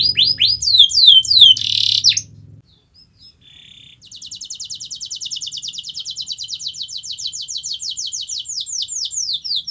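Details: Canary song for encouraging a quiet canary to sing: falling swept notes and a brief buzz, a short pause with faint notes, then a long even high-pitched rattling trill of rapid repeated notes.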